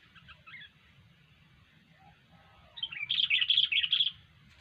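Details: Sooty-headed bulbul in vigorous song: faint chirps at first, then a loud run of rapid bubbly notes near the end, over a steady low rumble.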